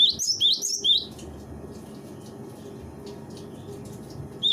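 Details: Cinereous tit, presented as a master recording for training birds: a short burst of high, sharp, rapidly repeated whistled notes in the first second, then only a low steady background hum until a final note at the end.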